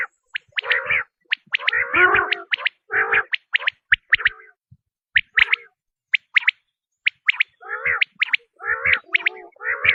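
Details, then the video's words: Quail call for attracting quail: gargled, throaty bursts with high chirps early, then sparse single chirps with long gaps, and dense raspy phrases returning at the end. "بٹیر کی آزمائی ہوئی آواز ۔ | Quail Tested Sound | Batair ki Awaz"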